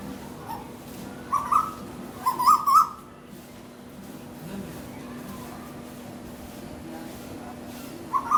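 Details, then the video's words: Asian koel in a garden during a fight, calls used to communicate: a clipped pair of whistled notes, then a quick burst of three or four more, a long quiet gap with steady hum, and one final short note. "Sound of Cuckoo bird fighting"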